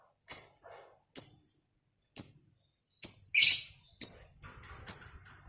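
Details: Lovebird giving sharp, high chirps spaced roughly a second apart, from a recording meant to lure and train other lovebirds toward a long ngekek trill; one burst is harsher and broader.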